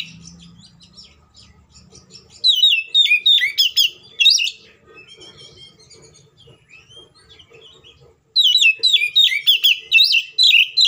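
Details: Oriental magpie-robin singing an agitated fighting song to provoke other magpie-robins: a faint low hum at first, then bursts of loud warbling, twisting whistles, a quieter stretch of soft chirps, and a final rapid outpouring of phrases.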